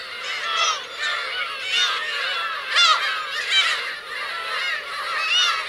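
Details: Black-tailed gull parents and chicks on Kurosaki coast, Teuri Island, Hokkaido, on 17 June 2021, give a colony chorus of overlapping nasal, mewing calls, many falling in pitch, rising and fading continuously with no pause.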